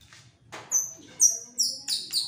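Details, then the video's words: White-rumped shama, a caged fighter bird, agitated, giving very high, thin whistled notes and short sharp bursts repeated in quick succession. "tes mintal murai batu fighter gacor dan emosi"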